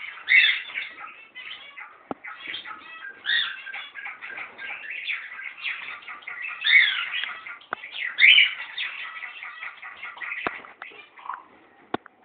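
Zebra finches chatter with busy, nasal, buzzy calls and short toy-trumpet notes, overlapping almost without pause.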